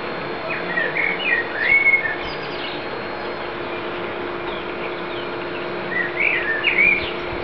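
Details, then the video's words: Common blackbird fledgling giving short warbled, whistled phrases in two bursts about four seconds apart, each with rising and falling notes, over a steady low hum and faint background noise. "Blackbird fledgling"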